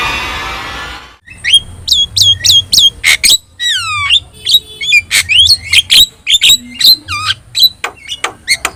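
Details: Javan myna, yellow-eyed and in full song, used as a master recording to train other songbirds: dense run of sharp whistles, squawks and downward-hooked notes, mostly high, after a brief noisy opening burst; faint low hum beneath.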